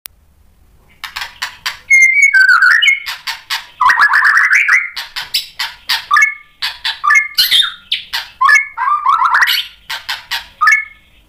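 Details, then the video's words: White-rumped shama singing vigorously, answering a fighter bird and unloading its repertoire: after a second of near silence, a dense run of varied whistles, sweeping slurred phrases and harsh chattering bursts, loud and nearly continuous. "MURAI BATU GACOR bikin EMOSI NYAUT FIGHTER jadi BONGKAR ISIAN"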